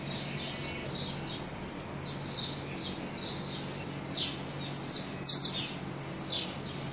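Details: Begging saffron finch chicks in the nest, hungry and being fed: soft high peeps at first, then a louder flurry of sharp, squeaky chirps in the final seconds, with a low steady background hiss throughout.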